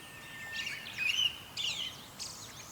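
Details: Pale Thrush calling in mid-April before migration. Three brief bursts of high, scratchy, slurred notes sound in quick succession, one slightly louder, over a soft, constant outdoor hiss.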